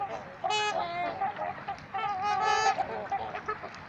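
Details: At Gallup Park, Ann Arbor, Michigan, trumpeter swans give loud, brassy, nasal honks, two strong bursts about two seconds apart with softer honks between them.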